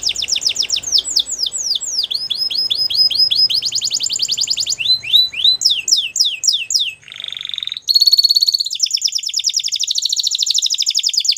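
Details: Waterslager canary delivering varied song: series of falling whistled notes, rolling trills, a low hollow tone, then a long rapid rattling trill, with faint low background noise.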